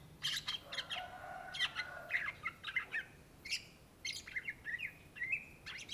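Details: Indonesian greater green leafbird (cucak ijo) singing energetically: bursts of harsh chatter alternate with sliding whistles and longer level whistled notes near the end.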